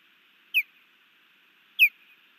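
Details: Osprey female at a Hellgate Canyon nest, Missoula, Montana, calling while the male drives off an intruding osprey, June 2019; two loud, clean, downward-sliding whistled chirps about a second apart.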